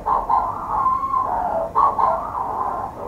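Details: A Manx shearwater calling from a burrow under the warden's house on Skomer Island, South Wales, gives a harsh, throaty crooning call in two rough surging bursts, strained and raucous, with no other clear sounds.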